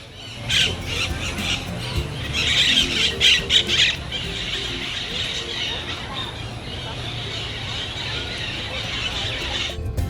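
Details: A flock of parakeets in trees in the heart of Antigua, Guatemala, on an afternoon gathering before leaving for their night roost gives harsh, shrill squawks in rapid bursts, then steady chatter over a low hum.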